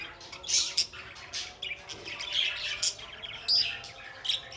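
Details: Budgies calling: loud, sharp chirps and short squawks, some with a whistled tone, scattered unevenly over several seconds.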